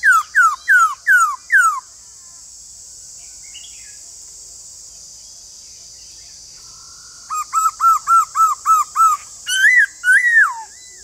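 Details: White-cheeked laughingthrush delivering rapid bursts of hooked whistled notes, about five quick ones, a pause with faint chatter, then nine evenly spaced clear whistles and two longer arched notes, over a high hiss.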